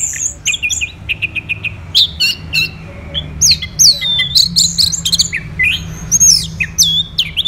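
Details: Energetic orange-headed thrush song recorded in the morning in Singaraja, Bali: clipped chirps, rapid repeated notes and swooping whistles in varied phrases, over a soft low hum.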